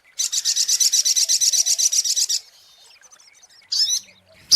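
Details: Brown-throated sunbird lure song: a long, high, rapid trill of uniform buzzy chips for over two seconds, followed by quiet and two short high bursts near the end.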